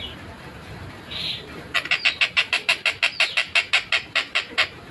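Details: Long-tailed shrike in a lively, clear, fast tight song: one short buzzy note, then a steady series of harsh, rasping pulses about three per second.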